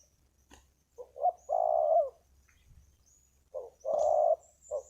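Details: Spotted dove used as a decoy at a ground arena, calling to wild doves with a big, deep voice: low mellow coos, a short note followed by a long rolling croo, repeated twice, with faint high chirps from other birds.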